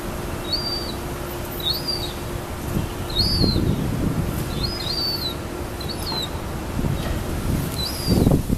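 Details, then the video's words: Young gulls in South Boston, 2013, begging for food with high, thin, downslurred whistles given roughly every second, about seven calls, against steady wind noise, a low hum and occasional thumps. "Baby seagulls looking for food"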